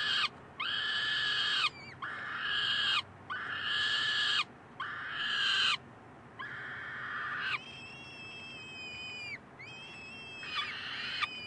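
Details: Peregrine falcon chicks in Columbus on 9 May 2015 beg for food while the resident male babysits, though they are not starving: harsh, raspy screams about a second long in quick succession, turning to thinner whining wails.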